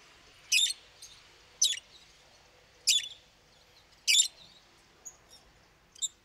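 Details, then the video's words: Lovebird calls: loud, harsh, high chirps given roughly once a second, each short and noisy, with a few fainter squeaks between them. "Как поёт неразлучник"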